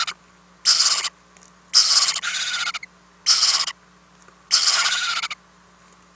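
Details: Nest-box owlets during overnight prey deliveries on 4-10-2018; four harsh, noisy hissing bursts, each under a second, repeated roughly every second and a half over a low constant hum.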